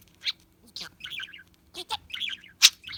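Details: Budgerigar kept as a pet, chattering for a lost-bird search: short squeaky chirps mixed with warbling trills and a loud sharp click near the end, delivered in uneven bursts.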